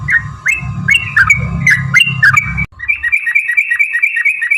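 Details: Yellow-vented bulbul lure song meant to set other birds singing: slurred whistled notes over low rumble, then after a sudden cut a quick run of short chirping notes over a continuous hum.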